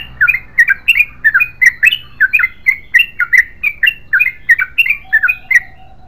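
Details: Loud, energetic gacor ropel panjang song of a yellow-vented bulbul, a long unbroken stream of rich warbled and squeaky notes, delivered in rapid pairs and triplets that dip and rise throughout.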